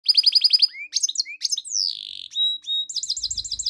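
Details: Tame goldfinch mule singing: fast runs of bright repeated chirps, a rising whistle, a long descending slurred note, then flat whistled tones and a final quick trill of looping notes; faint low rumble near the end.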